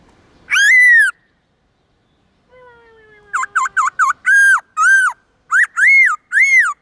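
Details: Morning 'forest voice' song of the black-throated laughingthrush: one long falling whistle, a pause with a faint low drawn-out tone, then a quick run of short dipping whistles giving way to longer arched ones.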